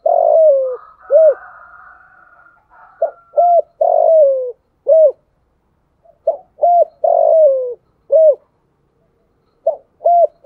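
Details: Spotted dove in thổ sấm voice, kept as a lure for wild doves in rainy, windy weather. Low, mellow coos come in phrases: a short lead note, a rounded coo, a drawn-out descending coo, and a closing coo. A faint hum is heard early on.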